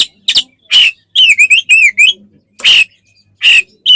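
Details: Oriental magpie-robin in lively fighting song, meant to provoke other birds: loud harsh bursts alternating with a run of clear whistled wavering notes, then more rasping bursts about once a second.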